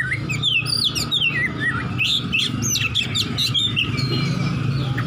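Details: An Oriental magpie-robin, a fighting bird looking for an opponent, sings a loud, fast run of varied whistles, slurred rising and falling notes and sharp chips over a steady low hum.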